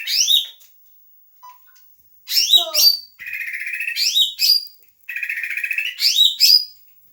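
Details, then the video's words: Leafbird song with a mimicked 'doraemon' fill: sharp high whistled notes sweeping down, then long buzzy chattering trills, alternating in bursts across several seconds; a brief low tone near the start. "kicauan hijauan gacor isian doraemon"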